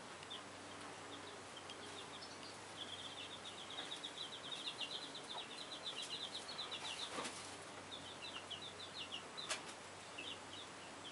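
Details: Chicken hen with little chicks, their high-pitched peeping running in rapid, steady strings through most of the recording, with a few sharp knocks and low background hum.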